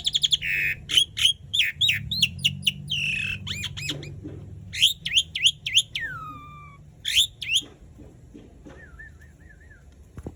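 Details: Asian pied starling singing as a lure for quiet starlings: bursts of chattering, squeaky notes, a long falling whistle, then a short wavering whistled phrase near the end.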